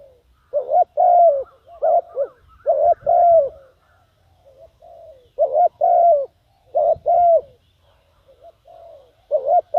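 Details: Spotted dove decoy calling to attract wild doves, with loud bursts of doubled coos broken by a stretch of softer, fainter cooing, then strong coos returning near the end.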